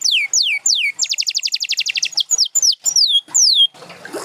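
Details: Champion canary song, Gloster or Spanish Timbrado among the birds featured: clear falling whistles, then a rapid rattling trill of even notes, followed by separate descending slurs and a brief noisy rustle at the end.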